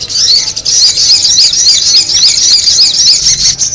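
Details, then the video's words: A sogon bird on a lure recording gives a loud, continuous high chatter of quick twisting notes, nearly two per second, with no pause. "the sound of the noisy sogon bird"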